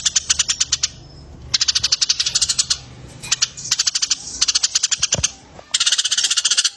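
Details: Eurasian tree sparrow on a songbird training track shared with another species: bursts of rapid, high, metallic chirps fired in quick series, with gaps of about half a second between runs.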